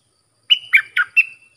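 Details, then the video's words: Bulbul song used to train hand-fed chicks and young birds and to lure wild birds, in styles called sap dok, boen and rik: four clear whistled-and-warbled notes, the first a long steady whistle, then quick slurred falling notes, no other sounds. "เสียงนกดอกแตงEp.122สำหรับหัดลูกป้อน/ลูกเสอ มีครบในครบในคลิปเดียว สับดอก-เบิ้ล-ริก เพลงเพราะน่าฟัง"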